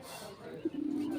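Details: King pigeon, one of a pair kept caged at a pigeon market in Bangladesh; a short low note followed by a steady, sustained low hum-like coo, with faint market noise.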